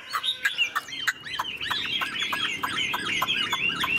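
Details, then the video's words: Caged Chinese hwamei, a tame golden-billed bird, producing rapid repeated notes, each a sharp downward-sweeping whistle, about three per second, in a steady chattering run. "Họa mi thuần sách lồng hót, đuôi xòe, ngũ trường hót cao cầu"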